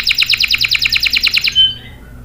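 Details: Canary singing to lure and train young males: a quick run of about twelve evenly repeated descending notes, ending with a brief high whistle.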